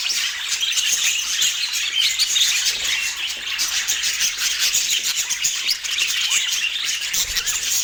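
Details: Budgies in Portland chirp and chatter in a dense, even flow of quick high notes and scratchy twitters, with a soft low thud near the end.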